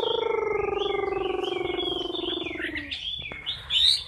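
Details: Close-up of a caged Chinese hwamei in fighting song: a steady low buzzing, purring tone dominates the first three seconds under thin whistles, then bright rising whistled notes take over.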